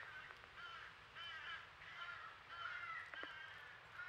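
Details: Fledgling crow at a squirrel feeder in Nova Scotia, Canada, crying nonstop for food while its family drives a squirrel away; drawn-out nasal caws, about five in four seconds, over steady background hiss.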